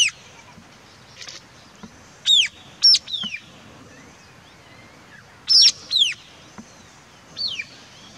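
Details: White-capped tanager (Rey del Quindío) calling: loud, sharp notes that slide steeply downward, given in close pairs and short bursts separated by pauses of a few seconds, over a quiet background.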